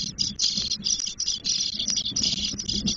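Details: Spotless starling chicks aged ten days begging in their nest at Doñana National Park, Spain: an almost unbroken, high, harsh hissing chorus with faint flickering breaks, loud and steady throughout.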